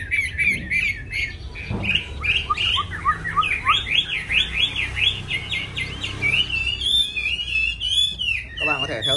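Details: Chinese hwamei song: varied whistles leading into a rapid series of zigzag trilled notes, then long, clear, wavering whistles near the end.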